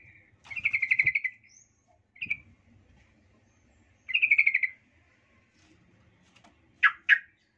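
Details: Sooty-headed bulbul lure song to make rival males angry: two chattering bursts of rapid bubbly notes with a brief note between, ending in two sharp separate notes, faint low rumbles behind.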